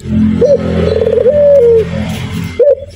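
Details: Male local spotted dove in the 'nguku' cooing style, used as a training recording: drawn-out mellow coos, then a short coo restarting at the end, over a loud low droning background.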